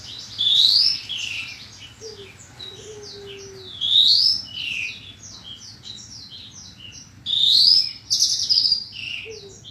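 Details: Training song of Horsfield's bushlark, 2022: three loud upslurred whistles roughly every four seconds, linked by rapid chattering twitters and buzzes, the last phrase run into a dense burst, with low background hum.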